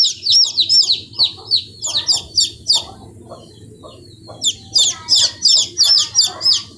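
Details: Hen chicks aged fifteen days cheeping: a fast series of thin, high, falling peeps, a quieter gap of about a second, then another brisk run.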